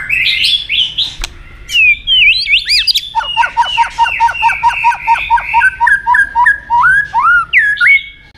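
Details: White-rumped shama fighting song, used for training: varied whistled opening phrases, then a long run of evenly repeated clear notes, about three per second, ending in rising slurred whistles.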